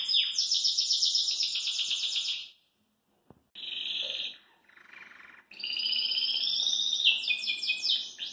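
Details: Belgian canary in a cage delivering fast, bright rolling trills, breaking off into a short silence with a click, then a softer mid-pitched warble before resuming a sustained high trill with sweeping notes.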